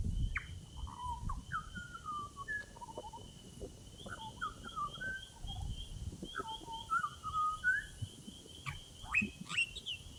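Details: Butcherbird from Australia singing a long sequence of pure whistled phrases, many gliding downward, with a steady high insect-like hum throughout and sharper chirps near the end.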